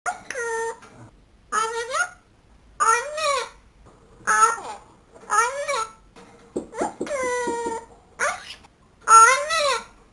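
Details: A pet grey parrot, addressed by her owner as "my girl", mimics human-like sounds in short voiced bursts with rising-then-falling pitch about every second and a half, in a quiet room; she likes to play.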